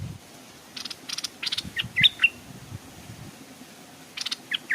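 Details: Stripe-throated bulbul used as a hanging decoy at a streamside, with wild birds arriving but too wary to land. Scattered sharp whistled notes mix with brief rustling, crackling bursts, and a final quick note pair.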